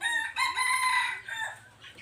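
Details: Red junglefowl, three years old, 26 January 2023, with a rich harmonic crow: a brief note, then a drawn-out rasping phrase tailing off after about a second, with soft chirps of other birds underneath.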